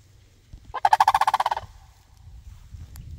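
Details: A single sandhill crane reply to a person: one rolling, trilled rattle of about fifteen quick pulses lasting under a second, then quiet.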